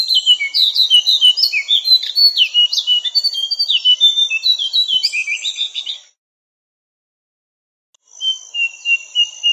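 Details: Javan cochoa song variation for tutoring songbirds: fast, dense run of sharp whistled and chirped notes lasting six seconds, then two seconds of silence before a softer series of steady whistles resumes.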